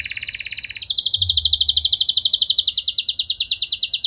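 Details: Canary singing vigorously, meant to provoke other canaries into answering; a fast, even trill of rapid high notes changes midway into a brighter, steadily repeated trill, with a faint low hum beneath.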